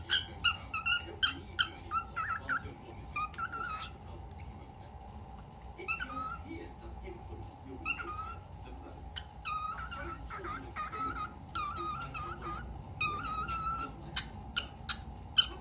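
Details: An albino cockatiel sitting on top of a fan whistles a run of short, bright notes over a steady mechanical hum.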